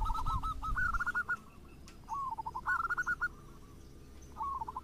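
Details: Zebra dove song used to trigger local and crossbred doves to sing: quiet bursts of rapid, bubbling coo notes in three short phrases, with a low rumble at the start.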